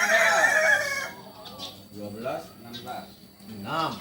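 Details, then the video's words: Kukuak Balenggek rooster from Solok ending a crow: strong harmonic note for about one second, then softer rising-falling clucking notes repeated through the rest, with a low steady hum underneath. "Ayam kukuak balenggek asli solok"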